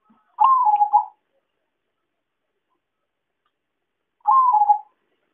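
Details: Zebra dove, locally perkutut, lure call for trapping: a pair of mellow, rolling coos nearly four seconds apart, each briefly rising and then sliding lower, in otherwise clean silence.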